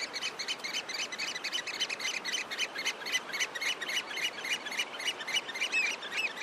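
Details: Flight calls of African oystercatchers: rapid, sharp piping notes repeated several times a second in a steady, slightly uneven stream across the whole stretch, with fainter overlapping calls behind.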